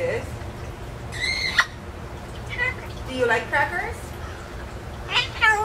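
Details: Pet parrot living in an indoor aviary, brought out in a cage, talking; short speech-like squawky phrases come in bursts between pauses, with a person speaking nearby.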